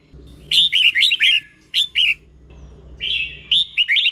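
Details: Song of a caged-type red-whiskered bulbul from Thailand, meant for other bulbuls to learn: quick bright warbled notes in short bursts of three to four, a pause, then a long whistle leading into more slurred notes.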